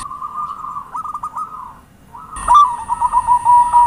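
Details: Zebra dove cooing as a lure sound. A drawn-out wavering coo with a few stuttered notes is followed by a louder series of quick, rhythmic pulsed coos.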